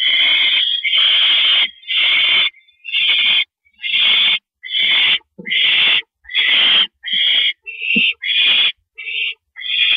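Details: Nest owl calling at night, 1:11 AM on April 6, 2012, while a male brings a rabbit as prey; rough hissing screeches repeated about once a second, some shorter, in an irregular train.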